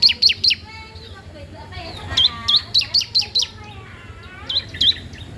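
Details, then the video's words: Bar-winged prinia in full, steady song, used as a tutor or lure for other prinias: short clusters of piercing, hooked chirps separated by gaps, with a faint voice-like murmur underneath. "CISEM PAUD GACOR DOORRR, COCOK UNTUK MASTERAN/PANCINGAN CIBLEK BAHAN"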